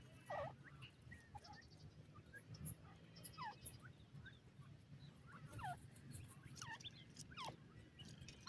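Several partridges give short, sharp calls that sweep down and up, scattered every second or two over a steady low hum.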